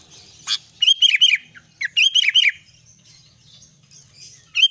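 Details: Albino sooty-headed bulbul in lively song, giving short bursts of three or four clear, slurred whistles with sharp click-like notes between phrases and brief silences.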